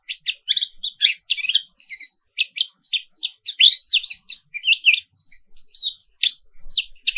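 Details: Black-capped white-eye in morning song, a long continuous roll of crisp high chirps and twisting whistled phrases, about three notes each second with tiny gaps, on an otherwise clean quiet background.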